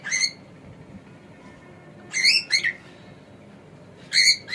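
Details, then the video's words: Male pet cockatiel making a few loud, rasping, harmonic squawks in short pairs separated by quiet pauses. "This Cockatiel Has No Idea How Funny He Sounds!"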